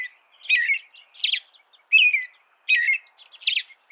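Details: American robin delivering rhythmic caroling song, five short warbling phrases in under four seconds, each a low slurred whistle topped with thin, high, squeaky notes.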